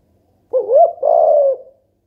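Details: A pet mourning dove coos once, soft and low. A bending, up-sweeping first part leads into a sustained, faintly buzzy note that tails off. The background is silent.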